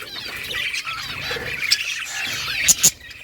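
Budgerigars warble in a steady, scratchy chatter of quick chirps and squeaks, with two sharp clicks near the end.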